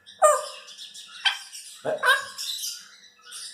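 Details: A 4-year-old female Congo African grey parrot kept as a pet gives a few short, harsh, bark-like bursts with squeaky overtones, about a second apart, in a quiet room.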